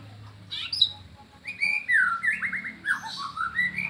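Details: Captive white-rumped shama song during an afternoon session with a Medan-type bird: brief sharp high notes, then a run of clear, bright, slurred whistles that rise and fall, over a faint low hum.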